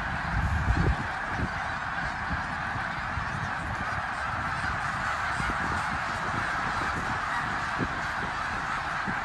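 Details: Huge migrating flock of snow geese passing through Bath, Pennsylvania, January 19, 2021. Continuous overlapping honks blend into a roaring wall of goose voices, with a brief low thump near the start.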